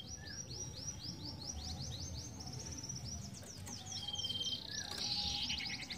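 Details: Ashy tailorbird (sirtu) singing at a distance: a fast train of thin, high downslurred notes, then a steadier whistled phrase, partly masked by constant background noise.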